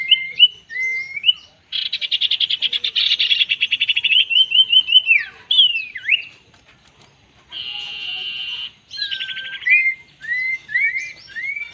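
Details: A small, fierce Common Iora sings a lively mix of high, sliding whistles, fast rattling trills and buzzy notes. Phrases come in quick succession, with no other sounds behind them.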